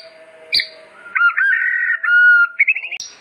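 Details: White-rumped shama singing as master song for training, mixing a sharp click, wavering and steady whistled notes, and a short rising trill at the end.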